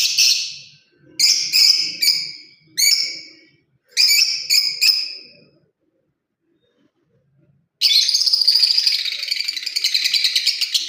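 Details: Lovebird parrot giving paired shrill chirps in several bursts, then a quiet gap, then a sustained rapid rattling, pulsing chatter lasting about three seconds.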